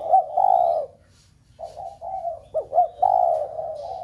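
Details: Spotted dove cooing to spur a flock of doves kept at home into cooing: low, husky coos in two bursts, with a short rising note and a longer falling croon, a pause of about half a second between them, and faint high chirps.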